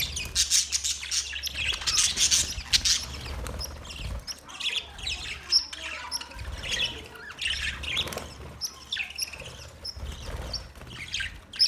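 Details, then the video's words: Budgerigars kept as a colony warble and chirp without pause, a busy overlapping chorus of squeaky, rasping notes rising and falling in waves over a low hum. "Budgies Parrot colony Parrot colony setup Parrot Talking Parrot video Parrot chirping sound"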